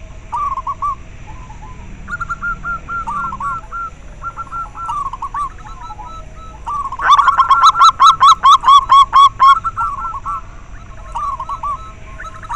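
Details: Local zebra dove, used to stimulate breeding drive in captive doves and as a lure: repeated rolling phrases of short clear coos, broken midway by a loud burst of harsh, rapid, evenly spaced pulses lasting about two seconds.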